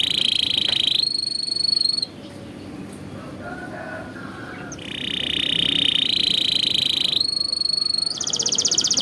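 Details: Atlantic canary song used as a training recording for young canaries: a steady high trill, a bright level whistled tour, a quieter pause, then further sustained tours and a buzzy roll at the end.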